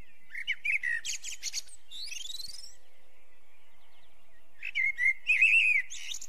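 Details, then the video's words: A common blackbird sings two fluty, warbled phrases about four seconds apart, each ending in high squeaky twitters; otherwise quiet. "Merlo canto richiamo"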